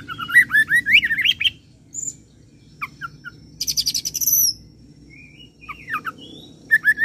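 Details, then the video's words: Oriental magpie-robin singing a cililin and serindit imitation: a fast rising whistled run, sparse chirps, a long high buzzy trill, then more slurred whistles. "KACER ROLL CILILIN SAMBUNG SERINDIT"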